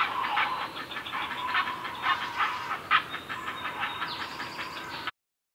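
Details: Great blue heron during feeding time, giving a steady stream of harsh, rattling, buzzy pulses with a few louder accented bursts and a faint high thin note near the end.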